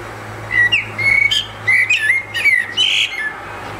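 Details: Solitary Eurasian blackbird on a housetop, delivering rich, liquid whistles that slur downward, interspersed with sharper chirpy notes and ending with a harsher, scratchy flourish; a steady low hum runs beneath.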